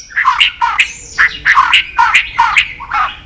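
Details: White-rumped shama delivering a mimicked fill-in phrase of harsh, chattering double notes, repeated roughly every half second in a steady rhythmic series.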